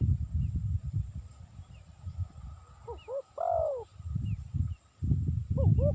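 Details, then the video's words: Spotted dove coos used for luring. One full phrase of two quick notes and a long falling coo, plus the start of another phrase. Persistent low rumble is heard in the background. "Suara Burung Tekukur Cocok Untuk Mikat"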